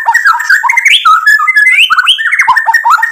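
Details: Energetic murai batu song packed with mimicked fill-ins, used to make other birds answer: a dense, continuous tumble of rich warbled whistles rising and falling without pause.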